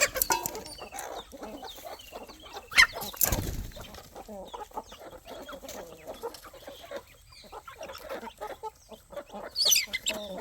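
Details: Evening feeding time for farm chickens, roosters and chicks. Continuous low clucking and chattering mix with high peeps and sharp pecking or clattering noises, including a strong rustling burst near the start.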